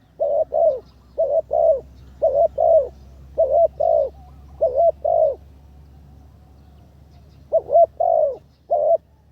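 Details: Decoy spotted dove in training, third session, calling in series. Soft hollow coos in twos, evenly spaced, then a pause of about two seconds before three more coos.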